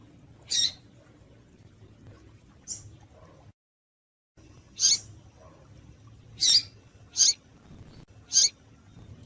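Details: Female double-collared seedeater giving calls used to excite males: scattered harsh high chips, several in a loose cluster near the end, broken by a brief silent gap, over faint low hum.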